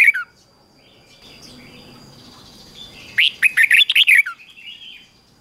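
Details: Red-whiskered bulbul song recorded for morning singing practice: a brief note, a quiet gap with faint soft whistles, then a lively run of about eight rapid, rich slurred notes.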